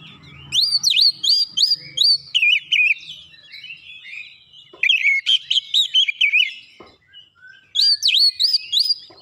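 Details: Kacer song meant to agitate rival magpie-robins: bright high whistles in rapid repeated phrases, sliding and buzzy notes mixed in, a brief pause near seven seconds before whistling resumes.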